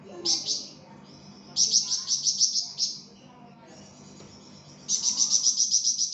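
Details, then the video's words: Lively singing flamboyan bird, recorded as a tutor for songbirds: repeated strings of rapid high chirps, five to eight notes per string, broken by pauses and a few softer, lower notes. "𝗯𝘂𝗿𝘂𝗻𝗴 𝗳𝗹𝗮𝗺𝗯𝗼𝘆𝗮𝗻 | 𝗳𝗹𝗮𝗺𝗯𝗼𝘆𝗮𝗻 𝗴𝗮𝗰𝗼𝗿 | masteran flamboyan"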